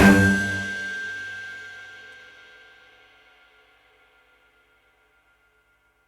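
A single bright bell-like chime strikes and rings out, its tone fading steadily to silence over about four seconds, with no animal voice present.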